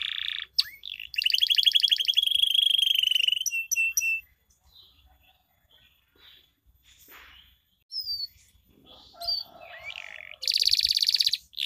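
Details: Canary song meant to trigger singing in reluctant canaries: a loud rapid trill and buzzy roll, a quieter gap with faint notes, then scattered whistles and a final buzzing burst.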